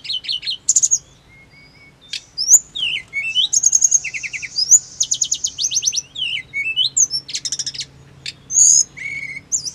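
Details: Song of a hill blue flycatcher, played to stir caged birds into fast, emotional answers: a few clipped high notes, then a long busy stretch of trilled chatter and bright whistled slurs.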